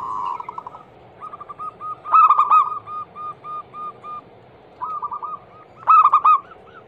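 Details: Lure recording of a local female zebra dove calling the male: a steady series of evenly spaced soft coos, broken twice by loud, rapid, stuttering bursts.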